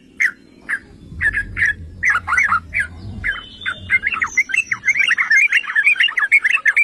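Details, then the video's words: Yellow-vented bulbul song meant to provoke rival bulbuls: scattered short notes at first, building into a dense, chattering, bubbly warble, with a faint high whine and low rumble. "Trucukan jenis APAPUN dijamin NGAMUK || Pancingan dan Masteran Trucukan"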